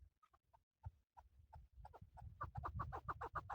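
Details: Male chukar partridge kept for hunting: scattered single clucks speed up into a fast, insistent chattering series of harsh notes over a low rumbling background.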